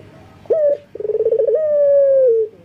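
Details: Local collared dove male in full breeding condition calling to females: a short clipped coo, a brief pause, then a rapid rolling tremolo sliding into one long, slowly falling drawn-out note. Used as a tutor recording for reluctant doves.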